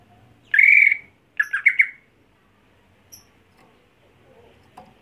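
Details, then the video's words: Greater green leafbird, a home-kept contest bird, gives a loud buzzy slurred note near the start, then a quick run of three or four sharp chattering notes, followed by near silence with a faint distant peep. "Membuat Cucak Hijau Mental Rumahan Jadi Garang Di Gantangan"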